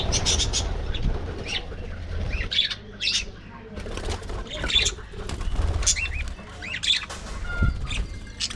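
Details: Budgerigar colony in an aviary: many overlapping chirps and short squawks, some with curving pitch, in busy bursts throughout, over steady low rumbling and fluttering wingbeats.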